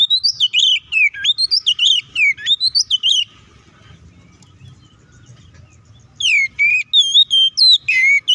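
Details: Oriental magpie-robin singing loudly in a fighting style used to rile up other birds. Bursts of rapid, varied whistles and chips last about three seconds, fall silent for three seconds, then return in the same fast pattern.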